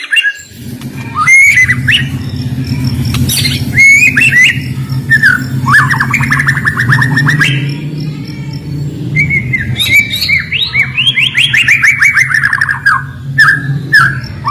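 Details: A white-rumped shama (murai batu) sings sharp 'isian' fill to stimulate birds that sing little: varied loud whistles, rapid trills and descending note runs over a steady low droning hum throughout.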